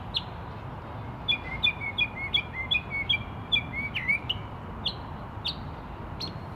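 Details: Bird calling from a tree: a fast run of short, high whistled notes, often doubled, then scattered sharp slurred chirps, with a soft steady hiss underneath.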